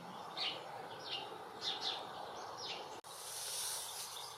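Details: A female European greenfinch in a UK garden gives five short, bright chirps, spaced unevenly over three seconds, over a steady outdoor hiss that grows louder near the end.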